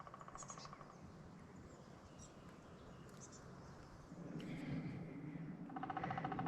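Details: A woodpecker far off at a quiet Georgia campground gives quick runs of evenly spaced, mid-pitched notes near the start and end, over a steady low outdoor rumble.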